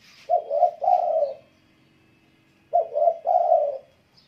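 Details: A spotted dove sings vigorously: two soft, hollow cooing phrases, each a quick double coo followed by a longer drawn-out coo, about two and a half seconds apart, in a quiet setting.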